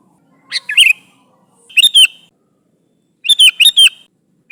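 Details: Sooty-headed bulbul calling out to its companions, giving three quick bursts of liquid, bubbly notes, the last a rapid run of four slurred chirps.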